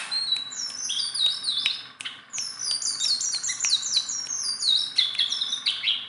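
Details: Sunda bulbul kept tame and able to perch on the hand, chattering fast high downslurred chirps in a steady stream, a brief break near two seconds, then more rapid tumbling notes.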